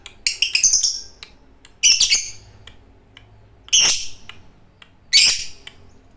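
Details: Energetic fighter lovebird song kept for training pet birds: four bursts of rapid, piercing, high screeching chirps, each under a second long, separated by gaps of one to two seconds, with faint clicks between.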